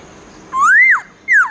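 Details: Wild-voiced morning song from a black-throated laughingthrush: a long clear whistle sliding upward then dropping, followed by a second descending whistle.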